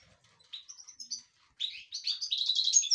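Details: Caged European goldfinch singing excitedly: scattered high chirps, then a rapid tumbling run of twittering, tinkling notes that grows louder and denser toward the end.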